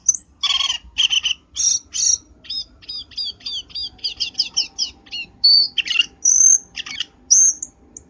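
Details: Black-winged starling calling as a trapping lure: loud harsh rasping notes open a long run of repeated downslurred chirps, followed by clear high whistles and squawks.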